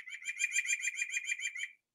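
White-breasted Nuthatch giving a quick run of about ten nasal, even-pitched notes, roughly six per second, like a soft laugh; nothing else is heard.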